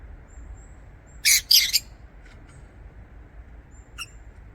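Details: Two loud, harsh, scratchy squawks in quick succession from lovebirds in an aviary, followed by faint clicks and a single thin high chirp over soft background hiss.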